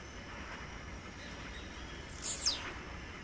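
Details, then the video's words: A wild blue-black grassquit utters one short, high, rasping note that falls sharply, heard over a quiet bed of insect noise. "SÓ OS TIZIU MAIS TOP CANTANDO MUITO NA NATUREZA"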